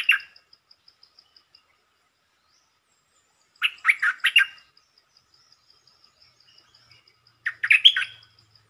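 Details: Red-whiskered bulbul delivering brief song phrases three times: a short note cluster at the start, a lively four-note warble in the middle, and a final fluty, rising flourish. A rhythmic high-pitched insect ticks in the background.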